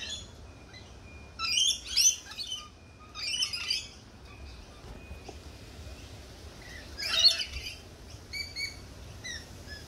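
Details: Sparse lorikeet calls: a few loud, rasping screeches in clusters near two, four and seven seconds, separated by quieter gaps with a thin steady tone and low background noise.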